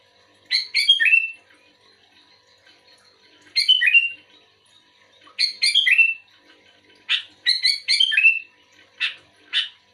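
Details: Lively sooty-headed bulbul responding to a second bulbul, giving clusters of two or three cheerful, slurred, downward-sliding chirps, with groups repeated every two seconds or so and quiet gaps between.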